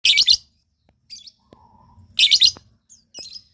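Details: Lovebird calls used to prompt other lovebirds to answer: two loud bursts of harsh, high chattering screeches, each under half a second, with a few softer chirps between them.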